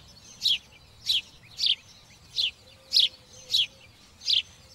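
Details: Sparrow song as a series of seven sharp, high chirps, evenly spaced at a little over half-second intervals, against a soft steady background.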